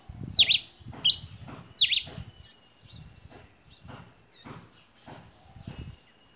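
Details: Pileated Finch, a male named Faraó, giving three loud, sharp zigzagging whistled notes about a second apart in steady, measured song, high and bright, then a few fainter notes with low background rumble; Pileated Finch.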